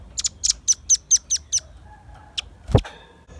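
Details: Velvet-fronted nuthatch in lively song for luring and tutoring birds: seven crisp, very high chip notes repeated about every quarter second, then a brief pause, a single chip and a heavy thud.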